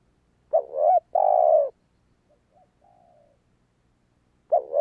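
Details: Spotted dove cooing, played to stimulate a decoy dove: a low two-part phrase, a short wavering coo then a longer steady one, followed by faint soft notes and the start of another phrase.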